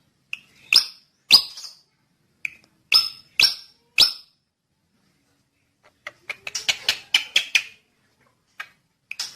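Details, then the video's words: Drongo singing: sharp, loud whistled notes and clipped chips in separated bursts, then a faster cluster of bright ringing notes, against a quiet background. "kicau burung srigunting"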